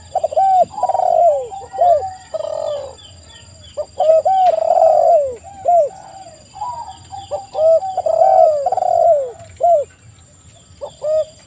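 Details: Spotted doves cooing in a lure recording for drawing out other doves. Repeated mellow phrases of short arched coos and longer falling notes overlap from several birds roughly every second, with a continuous faint high electronic tone.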